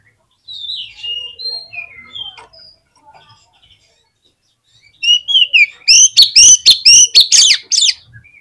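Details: Oriental magpie-robin singing to prompt others of its kind to sing: a quieter stretch of varied sliding whistles, then after a gap a burst of rapid, loud, clipped notes with upswept whistles, repeated about twice a second.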